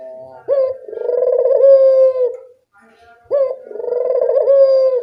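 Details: Barbary dove giving two long, purring coos, each beginning with an abrupt rising note and holding a steady low pitch for around two seconds, after a faint tone; a recording meant to get a reluctant dove calling.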